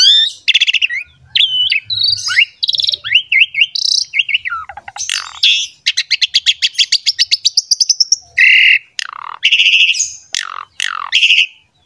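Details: Asian pied starling pumping out a long, varied model song for young and wild-caught birds: jumbled whistles and squeaks, a fast rising rattle of clicking notes, then loud harsh chirps.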